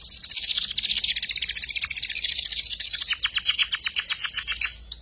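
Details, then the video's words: Young canary learning its ngeriwik chattering song, used as a tutor for white-rumped shama and magpie-robin fighters: a dense, unbroken high trill of rapid buzzy notes, turning into sharper separate chips near the end. "PANCINGAN KENARI PAUD BELAJAR NGERIWIK"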